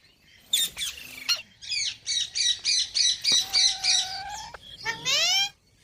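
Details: Pet parrot talking: a few harsh squawks, then a run of about eight rhythmic voice-like syllables, followed by a rising nasal drawn-out call, with faint background rumble.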